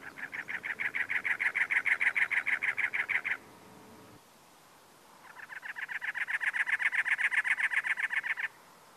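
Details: Territorial male cactus wren perched on dead bush and teddy-bear cholla, Anza Borrego State Park, California, April 2010; two long runs of fast, raspy, evenly repeated chug notes, about four per second, separated by a short pause.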